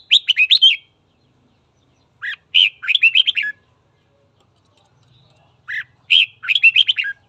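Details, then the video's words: A red-whiskered bulbul sings in the morning to stir up a fight, giving three bursts of rapid, jumbled warbling notes, each burst beginning with a low swooping note and ending in a tumble of bright chirps. "Luyện giọng chào mào hót sáng kích bổi đấu"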